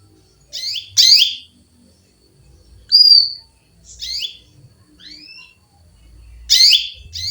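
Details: Female canary calling for a male with repeated harsh, buzzy chirps, about five call bursts mixed with a pure whistled note and a thin rising whistle, separated by quiet pauses.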